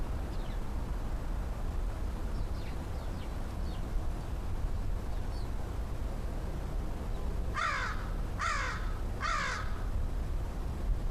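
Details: Wild American crow cawing while coming over to be fed lunch on a Saturday, 5 October 2013. Faint distant caws come early, then three loud, harsh, nasal caws follow about one second apart. A steady low background rumble runs throughout.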